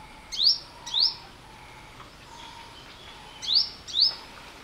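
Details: Olive-backed Sunbird: pairs of sharp upward-sweeping high notes, two near the start and two near the end, separated by a quiet gap with faint background hum.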